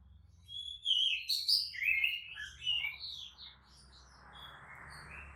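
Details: Lure song of an Oriental magpie-robin for provoking others: bright slurred whistles and quick warbled notes over steady background hiss and low hum, fading into noise after about three seconds.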